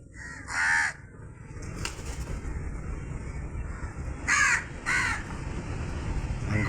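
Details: Harsh, nasal crow caws: one early call, then a quick pair of hoarse caws about half a second apart, with a soft rushing background throughout.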